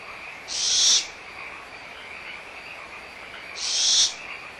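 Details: Young barn owls at Audubon Starr Ranch Sanctuary, 17 April 2011, squabbling over leftover food with the mother nearby: two harsh, hissing screeches, each about half a second, over a steady background frog chorus.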